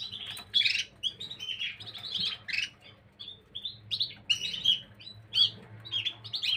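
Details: High chirping and twittering from Gloster canaries on 9 January 2023, loud trilled bursts alternating with quieter whistled notes, several phrases overlapping, with a faint low hum behind.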